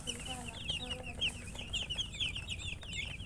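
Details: Baby chicks chirping: many high, thin peeps repeated rapidly and overlapping, several per second, over a steady low background hum.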